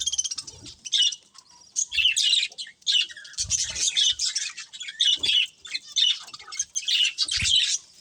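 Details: Pet budgerigars in a family group give lively chirps and squawky twitters in repeated bursts, quieter at first, then a busy run of chatter with short pauses.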